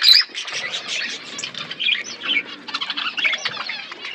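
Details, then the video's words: Chirping aviary budgerigars in a forest setting: a sharp squeak opens, followed by ongoing scratchy warbling and quick chirps that rise and fall in loose bursts. "Budgies in forest environment aviary birds chirping sound"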